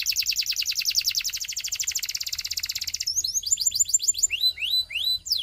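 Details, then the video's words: Belgian singing canary pouring out a long, very rapid high trill for about three seconds, followed by varied rising and falling slides and scattered sweeping notes. "The Belgian Singing Canary"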